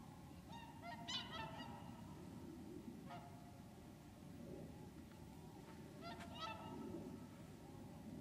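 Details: Whooper swans wintering at Lac du Der in Champagne, France, on 30 January 2014, give overlapping nasal, harmonic honking calls in several bursts, some rising in pitch, over a steady low background rumble.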